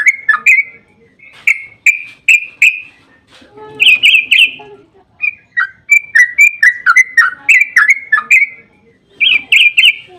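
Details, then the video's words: Lively yellow-vented bulbul song in the long 'ropel' style, intended to get other bulbuls calling back: gurgled phrases separated by short pauses, with a rapid rolling series of slurred chirps near the end. "Suara burung trucukan GACOR ROPEL PANJANG Pancingan ampuh buat trucukan"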